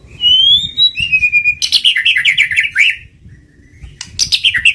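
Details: Lure song of a white-rumped shama, opening with a pure rising whistle, then a slurred note and a rapid run of bright chirping notes, with a fast burst returning after a short pause.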